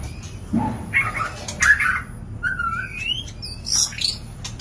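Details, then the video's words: White-rumped shama mating sounds, used as a lure to bring birds into breeding condition: short scattered whistles and a rising slurred note, with low thumps between phrases. "Pancingan Suara Murai Batu Kawin"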